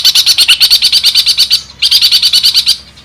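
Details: Long-tailed shrike in 'kuntilanak' or 'gereja' song style with 'ngekek tembakan' phrases. Two bursts of quick repeated high chirps are separated by a short pause, and the second burst ends in quiet.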